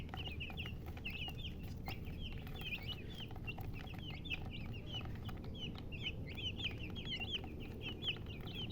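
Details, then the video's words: Many chickens peeping together, brisk high chirps tumbling over one another without pause, some with a quick downward flick, against constant low hum. "silly chicken chirping sounds"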